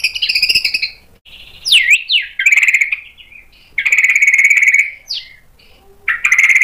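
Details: White-rumped shama stirred into answering song and its mimicked repertoire, alternating steady held tones with swooping whistles that dip and rise, broken by short quiet pauses.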